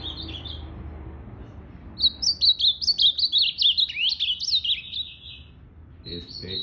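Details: A captive ultramarine grosbeak, its tail not yet fully regrown, recorded on 8 September 2020, sings a rapid, warbled phrase of about fourteen high, sliding whistled notes, with a faint room murmur behind it.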